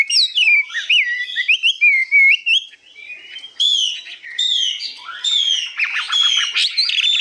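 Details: Newly arrived caged hwamei, 85% tame, in high, long-phrased song. Rich whistled slurs and warbling notes change pitch constantly, with a brief quieter pause midway before loud ringing phrases return, some with a rattling edge.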